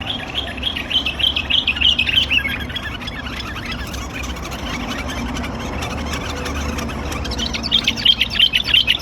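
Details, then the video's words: White-cheeked bulbuls fighting: harsh, rapid chattering bursts, loudest at the start and again near the end, over a low background rumble. "عركة بلابل"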